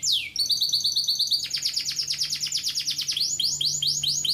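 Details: Canary singing energetically: a falling whistle opens, then a fast buzzy trill of closely repeated high notes, followed by a series of sharp rising sweeps about six per second; faint low hum underneath.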